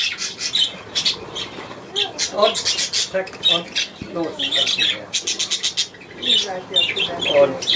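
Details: Budgerigar pair from East Frisia, a male with his mate, giving busy warbling chatter mixed with harsh squawks and clicks, nearly continuous, with a person talking in the background.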